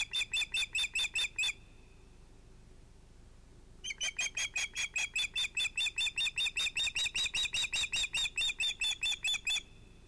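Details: Osprey at a Finnish nest at sunset, 11 August 2018, female Alma with two ringed chicks, probably males: fast series of short, sharp whistled notes, about five per second, a brief burst, then a pause and a longer run.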